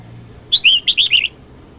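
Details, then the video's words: Morning song of a red-whiskered bulbul: six clear, rich whistled notes in quick succession, slurred up and down in a chirpy pattern, with a faint low hum underneath. "Chào mào hót sáng hay chuẩn 2020 Ko Tạp Âm"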